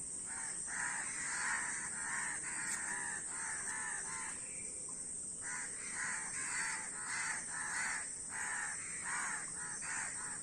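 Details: Numerous crows cawing, dense runs of hoarse calls with a brief lull near the middle before the chorus resumes, steady hiss underneath.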